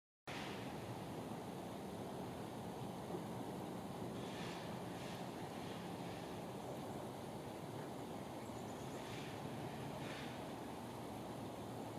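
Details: Steady roar of wind and surf with no animal voice standing out.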